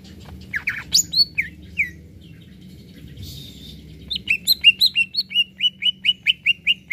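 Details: Greater green leafbird in lively song meant to rouse other birds: scattered whistled and slurred notes at first, a pause, then a steady run of short clear whistles repeated about twice a second.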